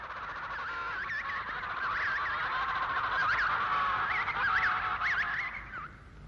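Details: Penguin colony in Adélie Land, Antarctica, where a returning male calls and listens for his mate and chick: many overlapping braying, wavering mid-pitched calls, several rising and falling rapidly, fading out near the end.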